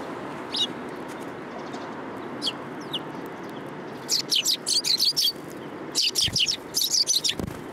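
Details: City sparrows coming to be fed on 30 November 2015: quiet opening with a few isolated high chirps, then from about four seconds a dense run of sharp, repeated chirping from several birds over a steady low urban hum.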